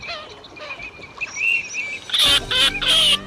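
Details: Teal calling to its flock, a call described as tested and working; a few faint whistled notes give way after two seconds to loud, harsh, repeated calls with ringing overtones.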